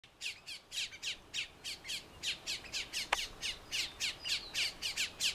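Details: Colombian mountain grackle (Macroagelaius subalaris), endemic to Colombia, recorded while birding around Bogotá: harsh, high, scratchy squawks, three or four each second in an unbroken chattering run, with faint background noise.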